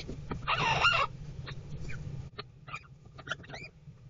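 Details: Nestling Adelaide rosellas in a nest box in a backyard garden: one harsh, raspy half-second squawk, then a scatter of thin, short chirps among scratching claws and soft knocks.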